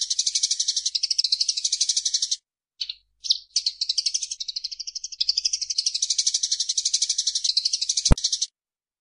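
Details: Eurasian tree sparrow in a cage-bird training recording: long bursts of fast, high-pitched pulsed chattering separated by short breaks with a couple of isolated chirps, and a single sharp click near the end.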